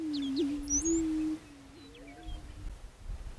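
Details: A loud, low, hollow hum from a prairie chicken with a quick upward blip, followed by a fainter, more distant moan. Thin high bird chirps are heard in the background.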